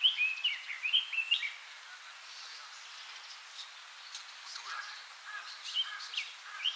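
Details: Red-billed leiothrix singing wild in Akigase Park, Saitama, Japan, an invasive alien species, recorded about twenty years ago: bright, slurred whistled phrases rising and falling in quick bursts, then a quieter pause before more clear notes over soft background hiss.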